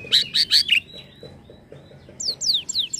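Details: Canary with a few loud warbled notes at the start, a quiet pause over background murmur, then four clear descending whistled sweeps.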